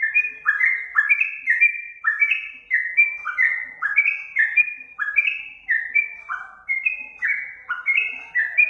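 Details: Master recording of a sooty-headed bulbul meant to get birds responding: an unbroken stream of some twenty ringing whistled notes, each dropping slightly, delivered at an even, lively pace.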